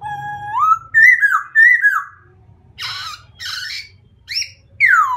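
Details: White-crested laughingthrush singing rising, then level slurred whistles, followed by harsh raspy chattering bursts and a sharp descending whistle at the end, over a low steady hum.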